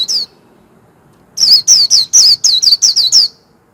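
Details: Warbling white-eye singing in the rapid 'líu' warbling style: one high slurred note, a pause, then a fast burst of about eleven high, wavering, down-slurred whistled notes over nearly two seconds, in quiet surroundings.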